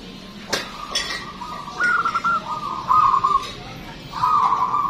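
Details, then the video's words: Zebra dove of the local type in strong song, used as a lure for other birds: soft drawn-out rolling coos building into louder bubbling phrases, with a few sharp clicks. "PERKUTUT LOKAL GACOR SUARA BESAR DAN PANJANG"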